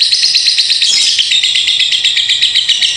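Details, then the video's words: Ngekek konslet song from a lovebird, a long continuous chatter: dense, shrill, rapidly pulsing notes with a brief louder burst about a second in, then an even stream of fast repeated chirps. "LOVEBIRD NGEKEK KONSLET PANJANG"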